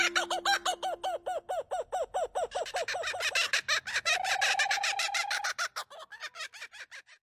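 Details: Laughing kookaburra (Dacelo novaeguineae) in Australian forest, raucous chorus: rapid rhythmic hoo-hoo notes building into loud cackling ha-ha-ha bursts, then a few spaced chuckles; a laughing call associated with dawn.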